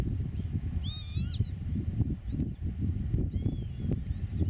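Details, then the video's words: Eurasian oystercatcher at its nest in farmland meadow, filmed from eight metres away during meadow-bird nest monitoring; one loud, shrill piped call with a wavering, stacked tone, over steady low wind rumble. "Scholekster op het nest"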